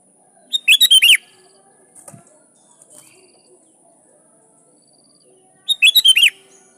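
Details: Sooty-headed bulbul in lively song, used as a lure to challenge rivals and prompt wild birds to respond; two rich, rolling phrases of quick chirps ending in slurred notes, with faint soft sounds between.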